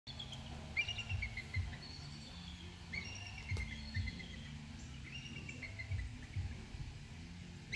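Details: Bald eagles on Swan Creek in Newport, Michigan, giving their usual thin, high chirping and piping notes in short runs, some slurred up or down, over a steady low rumble of wind or distant noise.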